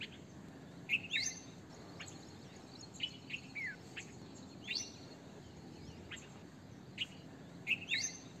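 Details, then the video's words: Red-vented bulbul calling in bright, sharp chirps and short upslurred whistles in loose bursts about every second or two, over soft steady background noise. "Red Vented bulbul - Bulbul - Indian Bulbul"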